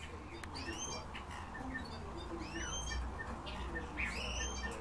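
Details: Several Eurasian bullfinches calling: a few clear whistled notes that sweep upward, arriving irregularly about once a second, with fainter chirps from other birds and a low steady hum beneath.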